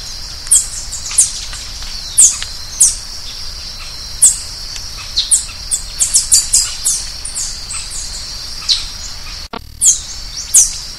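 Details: Green-headed tanager giving thin, high, downslurred chips, spaced at first, then crowded into a quick run, with a steady high buzzing drone behind and a brief dropout near the end.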